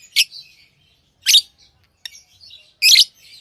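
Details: Tame pet lovebirds chirping: sharp, high, squeaky chirps roughly once a second, with softer twittering notes between them and no other sounds.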